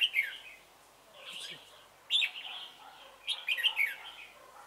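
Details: Red-whiskered bulbul used as a decoy for trapping at Chùa Hương, late November 2017, singing three bursts of rich, rolling whistled notes separated by short quiet gaps.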